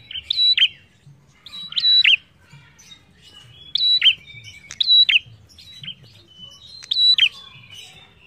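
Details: Prinia song used as a lure to prompt other birds to sing: a sharp chirping phrase of high whistled notes and sudden downward-swept clicks, repeated roughly every second.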